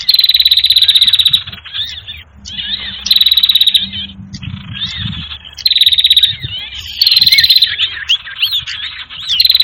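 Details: Sirtu bird lure call for catching birds: strong buzzy trills return every few seconds, with thin twittering notes in the gaps between them.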